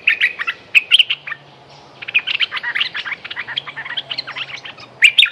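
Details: Dense, energetic chattering song of a Streak-eared bulbul: rapid strings of bright chirps and twittering notes with only brief breaks, over a soft low hum.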